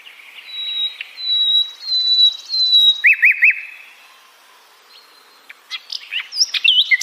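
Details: Flycatcher known as sikatan londo giving clear, thin, level whistles repeated in phrases, then a short run of looping rolling notes, a near-silent gap, and a few abrupt high upward and downward whistles.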